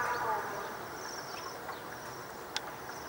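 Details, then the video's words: Waxwings in Kyiv, Ukraine, in winter 2013, several birds giving thin, high, ringing, drawn-out overlapping trills over steady traffic-like background noise and a single sharp click. "Прилетели Свиристели"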